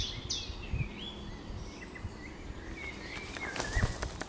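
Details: Eurasian golden oriole song in an outdoor setting with other birds: slurred, fluty whistles rising and falling, repeated through the recording over steady background noise, with a few low thumps.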